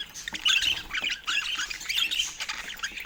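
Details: Pet budgerigar warbling: rapid, squeaky chirps and rising-falling twittered notes run together in a busy, continuous chatter.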